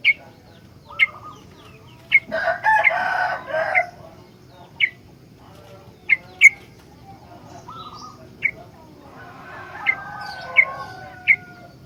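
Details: Sooty-headed bulbul, very vocal and used as a master for teaching other bulbuls, repeats crisp high chirps every second or so, with a harsh noisy fluttering burst early and faint warbled notes later.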